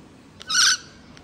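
A myna gives one harsh, raspy screech lasting about a quarter second, with faint clicks just before and after.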